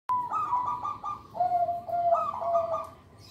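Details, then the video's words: Local zebra dove, played to lure young birds and train lazy captive doves to sing, gives a mellow fluttering coo of short wavering notes that dip lower midway and then rise again. A faint background hiss runs throughout. "Perkutut Lokal Suara Istimewa, Pemikat Bakalan"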